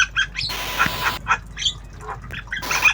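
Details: Tame Javan myna practising sounds in obyogan fashion, giving scratchy squawks, broad rasping bursts and short squeaky notes in quick succession.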